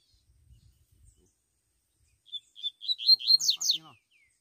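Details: Double-collared seedeater singing in the wild bush after a quiet pause: spaced high clear notes quicken into a loud, rapid run of sweeping chirps and trills, then stop, with faint rustling beforehand.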